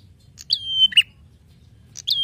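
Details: Actively singing prinia, a master track for songbirds. One full phrase: a high chip, a sustained falling whistle and a rough low note, then silence before the next phrase starts. Faint low hum throughout.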